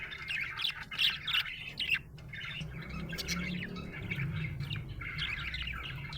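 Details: Budgerigar in a happy mood, chirping in loud bursts of scratchy chatter at the start, then quieter warbling over a low droning hum.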